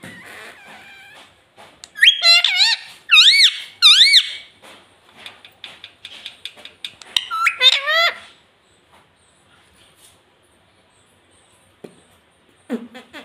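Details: Green ringneck parrot kept as a pet, speaking mummy and papa: bursts of high, wavering, harmonic speech-like syllables repeated several times, with soft chatter and clicks between phrases and a pause near the end.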